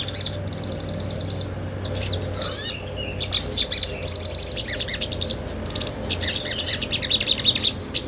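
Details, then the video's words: Small nectar-eating sunbird, locally sogon, in energetic ngobra song recorded for tutoring other songbirds; shrill rapid trills alternate with abrupt high sweeps and scratchy notes, separated by short quiet gaps. "MASTERAN SOGON NGOBRA"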